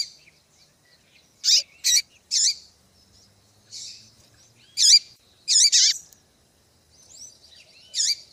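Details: Female double-collared seedeater chipping, meant to make males sing for tournaments; roughly ten high, harsh, clipped notes, several in tight pairs and triplets, with faint twitters among them.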